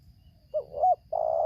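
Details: Spotted dove in Lampung, Indonesia, a wild bird facing a decoy during trapping, tarik akar selang nguku song style: a wavering low coo that rises slightly, then the start of a long steady croon cut short.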